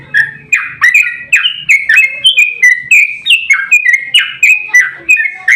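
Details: Sooty-headed bulbul in a long, excited fighting 'ropel' song, used as a lure to make other bulbuls sing: rapid run of bubbly, slurred whistled notes, each dipping or rising, about two per second.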